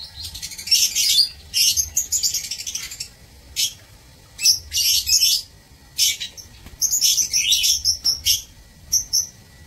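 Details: Lovebirds kept in an aviary cage, recorded 16 March 2024: bursts of shrill, high chirping and twittering come in clusters every second or two, several birds overlapping, with short quiet gaps between bursts.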